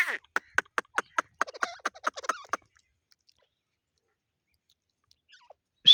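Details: Grey francolin (teetar) calling. A rapid series of sharp, clicking harmonic notes runs for about two and a half seconds, then falls silent. A loud note starts just at the end.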